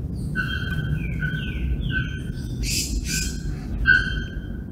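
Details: Bare-throated bellbird recorded August 2024 in Sao Paulo Botanical Garden, Brazil: long sustained ringing tones broken by two explosive harsh clanks, while another bird gives higher gliding whistles; low rumble beneath.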